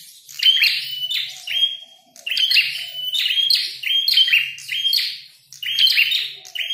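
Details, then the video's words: Red-headed prenjak, a prinia, while fighting: bright, sharp chirped notes and buzzy slurs in quick clusters, one brief pause near two seconds, then continuous lively phrases. "Prenjak tarung gacor | prenjak kepala merah"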